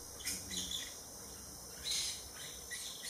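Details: Maroon-bellied parakeet (Pyrrhura frontalis) giving short, harsh high-pitched calls in a few separate bursts, over a steady background hiss of insects.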